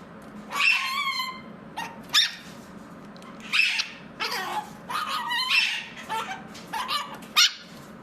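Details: Indoor pet mitred conure, reported to be feeling better, calling repeatedly: clear falling whistled notes mixed with rough, buzzy squawks, roughly one every second over eight seconds.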